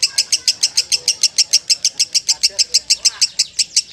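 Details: Champion lovebird delivering a brisk run of high, clipped chirps at a regular pace, with faint low murmuring in the background.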